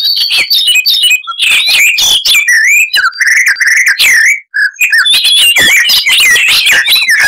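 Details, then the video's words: Icterine warbler in full, dense song, known for loud chatter, rich variety and mimicry: a fast, almost continuous tumble of whistled slurs, upward sweeps, scratchy notes and clear lower whistles, barely pausing. "Icterine Warbler (Hippolais icterina)"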